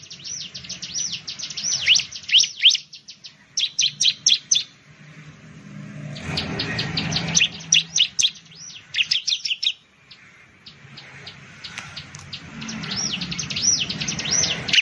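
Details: Bar-winged prinia, a loud-voiced songbird of plantations, rice fields and villages in Indonesia, singing bursts of rapid high chirps and arched whistled notes in several phrases, with low background rumble and a noisy gap midway.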